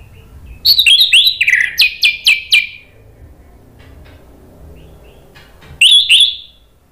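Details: Orange-headed thrush singing to prompt other birds to reply: a fast run of bright, descending whistled notes, about six in quick succession, then silence and a final loud whistled flourish.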